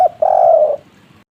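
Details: Spotted dove, a local wild-type kuk-3 style voice used to prompt other doves to call: a single short note, then one sustained, even, mellow coo that drops slightly at its end, against quiet background.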